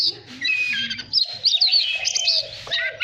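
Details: Voice-training recording of Oriental magpie-robin song meant to spur birds into duel singing. Dense high warbles and sweeping whistled notes run over a lower fluty whistle, with a soft low murmur in the background.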